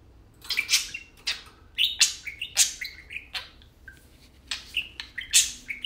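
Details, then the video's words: Two tame parakeets chattering as they play: bursts of scratchy, high clicks alternate with short clear whistles and squeaky notes, in loose uneven phrases broken by brief pauses. "Tame parakeets talking and playing"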